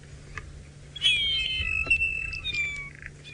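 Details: A group of mosque swallows in Sabi Sand, South Africa, on a sunset drive on 21 January 2018 at 4:38 PM, gives a drawn-out, thin whistle sliding gently downward over about two seconds, with fainter calls from other swallows and a low engine hum.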